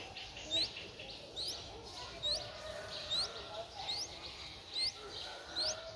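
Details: Streak-eared Bulbul nestling, four days old, in Ubon Ratchathani, Thailand, on 6 April 2023: thin, high rising notes repeated at steady intervals of just under a second, about eight in six seconds, over a soft background hiss.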